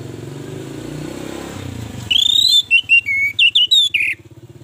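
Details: Lure song of an Orange-headed thrush, meant to make other birds sing. It starts under a droning motorcycle engine, then clear high whistled phrases follow in short, choppy bursts for about two seconds.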